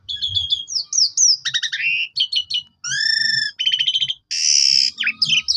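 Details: Bait song of an Asian pied starling, meant to make other starlings sing energetically. Quick changing phrases follow one another: whistled slurs, stuttering chatter, a harsh rasp and clean ringing tones, all loud and close.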